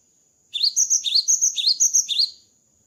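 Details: Java sparrow after moulting, singing a quick chain of high, slightly buzzy chirping notes in a bouncing rhythm for about two seconds.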